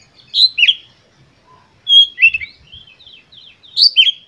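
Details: Oriental magpie-robin singing vigorously with full emotion, used as a lure to provoke other birds: three loud bursts of sweet whistled notes, sliding and dropping, separated by short pauses in a quiet setting.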